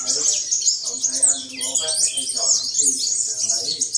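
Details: A captive sunbird ("7-colour" type) in Tân Phú, Đồng Nai, Vietnam, on 22 July 2022, sings and displays with a fast, high, thin twittering stream, while faint voices murmur below.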